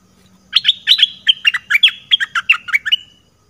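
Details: Red-whiskered bulbul, southern Thai type, used to lure birds; a fast chattering phrase of about fifteen bright chirps over two and a half seconds, alternating higher and lower notes, faint hum underneath.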